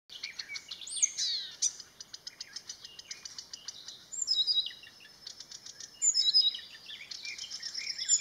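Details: Marsh warbler singing at a grove by Landsjön on 16 June 2020: a fast, continuous, high-pitched medley of chattering notes, trills and sharp whistled phrases, varied and mimetic, with no other sounds standing out.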